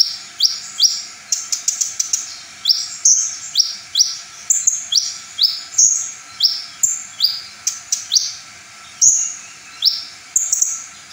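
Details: A brown-throated sunbird sings its full material, said to rouse other sunbirds into singing. Sharp upward-sweeping whistles repeat roughly every half second, broken by quick stuttering clicks and bright high chirps.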